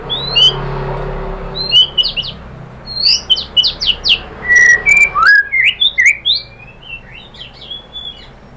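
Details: White-rumped shama song played to provoke other birds to sing: high thin whistles and chattering notes in a quick series, then a rising whistle and several sharp slurred phrases over background hum.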